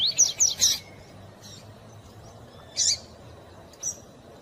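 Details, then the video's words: Male double-collared seedeater song with female calls played to excite the male: a quick burst of three high, bright chirps, then two short sharp calls about a second apart, over a low steady hum. "Coleiro tui tui rápido e piado de fêmea pra esquentar seu coleiro"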